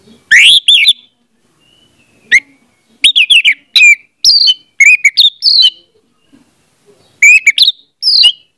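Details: Orange-headed thrush song played so that a mute bird starts singing: varied whistled phrases, some warbling and some sliding downward, delivered in irregular bursts over several seconds.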